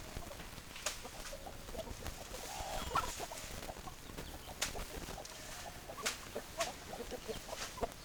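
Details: Chickens, hens clucking: short, soft clucks scattered irregularly through the recording over a steady background hiss, with a few sharper clicks and knocks.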